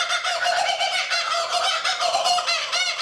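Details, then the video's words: Lone kookaburra perched in a tree by a lake in Australia: harsh, loud cackling, dense chattering notes running without pause, rough and raucous throughout. "The Kookaburra - A Sound of Australia"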